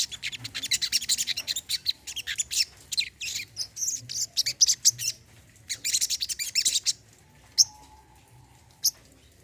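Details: Olive-backed sunbird, called sogon or kolibri kelapa, in a track for birds that stopped singing: long runs of fast, high, sibilant chipping and twitters, then a quieter stretch with a few lone notes.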